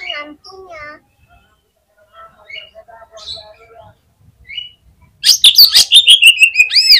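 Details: Contest fighter Oriental magpie-robin singing to provoke rival magpie-robins: soft scattered whistles and chirps, then a sudden loud run of sharp clicks, rasping notes and arching whistled slurs near the end.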